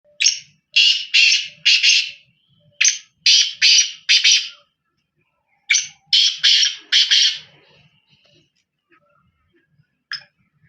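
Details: Black francolin calling: three loud, harsh phrases of four or five rasping, buzzy notes each, spaced about three seconds apart, then one lone grating note near the end, with quiet pauses between.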